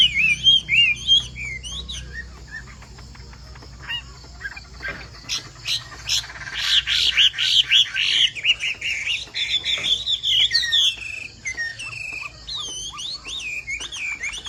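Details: Chinese hwamei of the 'bộ tam hoàng' type, its song described as pattering like rain: a fast run of varied whistled notes and slurred phrases, some rising and falling, growing denser and louder midway, then steady looping whistles.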